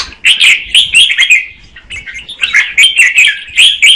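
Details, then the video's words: Female red-whiskered bulbul, singing to stimulate the male, gives quick bright chirps, a brief lull, then another rapid run of ringing notes. "Chào mào mái hót kích trống Red-whiskered female"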